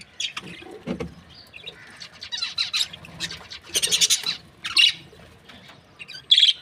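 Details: Budgerigar breeding pairs, an Australian parrot, giving scattered scratchy chirps and squeaky warbles, building to a dense burst midway and ending on sharp high notes.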